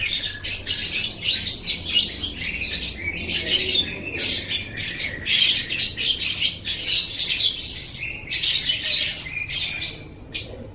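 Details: Chattering lovebird song used as masteran for training songbirds in Indonesia, rapid squeaky, buzzy notes packed into short bursts, separated by tiny gaps throughout.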